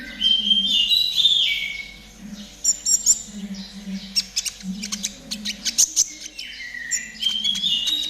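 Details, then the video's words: Konin trotol song for training caged birds to sing quickly: rich warbled whistles at the start, then a rapid string of sharp clicking chirps and more high whistled phrases. "TERAPI KONIN TROTOL AGAR CEPAT BUNYI || MASTERAN KONIN TROTOL GACOR"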